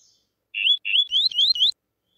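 Double-collared seedeater singing a brisk phrase of clear, high whistles: two slurred notes, then a quick run of rising, sweeping whistles, all in about one second.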